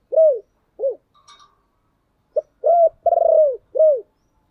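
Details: Spotted dove kept as a decoy bird, calling to lure wild doves; soft low arched coos, seven in under five seconds, several in close pairs with one longer trembling note, plus a faint brief chirp.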